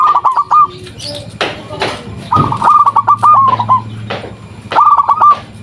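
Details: Zebra dove of a local strain singing to lure replies from other doves: short bursts of quick rolling coo notes at start, middle and end, with knocking sounds and a low hum in between.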